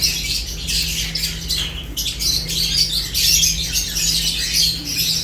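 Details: Eating lovebirds keep up a busy, high-pitched chatter of sharp overlapping chirps, steady throughout, with a faint mechanical hum beneath.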